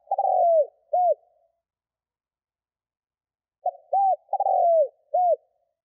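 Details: Cooing spotted dove meant to stimulate wild birds to call: a rolling trill falling in pitch followed by an arched hoot, then after a three-second gap a full phrase of short note, hoot, trill and hoot.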